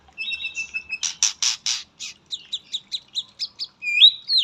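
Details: White-rumped shama from Indonesia, singing with katem fill: a thin whistle, loud harsh bursts, a row of short clipped notes, then a bright rising whistle.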